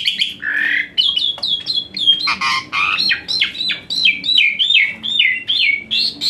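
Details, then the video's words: Asian pied starling song with many fill-ins, used as therapy for a lazy-singing starling: fast chattering series of squawky, downslurred notes and harsher bursts, steady and dense throughout. "Full Isian Mewah TEMBAKAN PANAS Khas Jalak Suren UNTUK TERAPI Jalak Suren Malas Bunyi Jadi Rajin"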